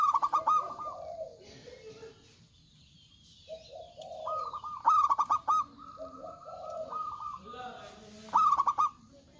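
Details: Big-voiced local zebra doves singing. Loud, bright phrases of rapid staccato coos come about every three and a half seconds, separated by softer, lower, rolling coos.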